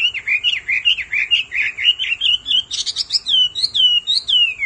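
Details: Hwamei; a female calls persistently so the male sings at once. Rolling whistled notes repeat in a rapid, wavering series, then break into high sharp notes and long downslurred whistles.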